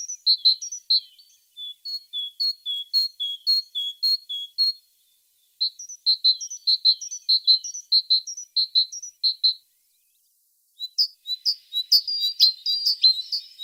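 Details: Tit singing a long series of high, bright notes repeated in quick rhythmic runs, broken by short pauses, ending in a denser, busier burst of chirps.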